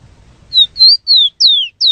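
Rufous-collared sparrow singing five clear, high whistled notes in quick succession, each slurring downward or briefly rising, after a faint low rumble.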